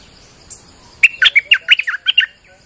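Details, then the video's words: Bulbul in full song during rain, a lure recording: after a soft lead-in note, about nine sharp, tumbling chirps follow in a rapid, lively burst. "Suara pikat merbah lekir gacor"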